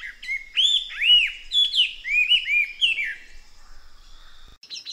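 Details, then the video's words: Chestnut-eared laughingthrush, Garrulax konkakinhensis, giving a run of looping arched whistles in quick succession, then fading to a faint high trill, over light hiss. "Tiếng Chim khướu Konkakinh. Garrulax konkakinhensis"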